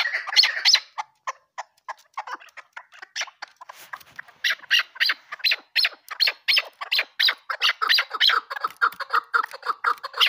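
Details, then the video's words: Chukar partridge giving a fast, irregular run of sharp chuck notes, starting scattered and faint, then growing louder and more regular in the second half, roughly three per second. "keklik sesi chakor birds"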